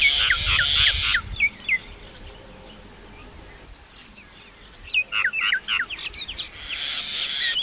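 A common myna sings two loud bursts of fast, varied chatter: clicks, gurgles and sharp whistled notes, with a quiet pause between and some low rumble at the start.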